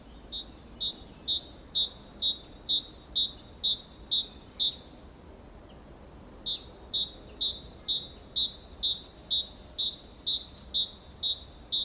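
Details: Great tit singing next to a nest box in Valencia, 24 April 2015: loud, clear two-note phrases, high then lower, repeated rapidly and evenly for about five seconds, a brief pause, then another long run of the same phrases.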